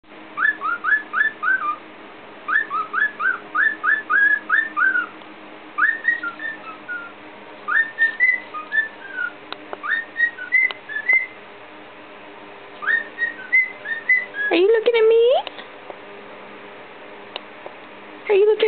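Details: A pet cockatiel whistles clear, bouncy phrases of the tunes "Tequila" and "The Entertainer", mixing the two songs together in short repeated runs, raising its head feathers.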